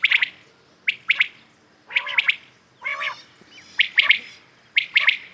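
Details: Common quails calling at dawn-time morning: crisp two- and three-pulse phrases repeated about once a second, broken once by a lower, buzzy nasal note.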